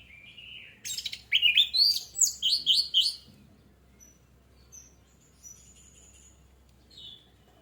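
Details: Orange-headed thrush song used to trigger singing: a short whistle, then an energetic two-second stream of rapid, slurred high notes, followed by faint, scattered thin calls.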